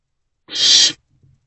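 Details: At night in a nest box on 24 April 2024, an owlet eating a large rodent gives a single harsh half-second hiss, followed by faint low shuffling sounds.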